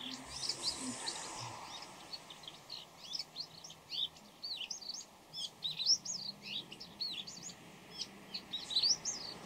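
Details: Before dawn, a Bull-headed shrike runs through a long, quick, jumbled medley of short, high, scratchy and whistled notes, possibly calls, courtship song or mimicry of other birds such as greenfinch, with faint background hiss.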